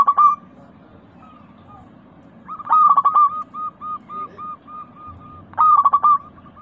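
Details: Zebra dove (local perkutut) song used as a lure to get a pet dove singing: loud bursts of quick trilled coos, each trailed by a string of short evenly spaced notes, repeating every few seconds.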